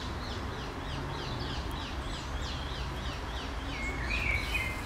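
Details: In woodland on 10 May 2015, a European robin collects mealworms for its fledglings, which give thin, high, repeated begging notes several times a second, with a brief whistle near the end over a low background rumble.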